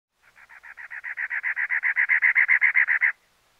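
A cactus wren gives a fast, harsh, grating 'cha-cha-cha' of about eighteen rasping notes, six a second, that swells louder toward the end.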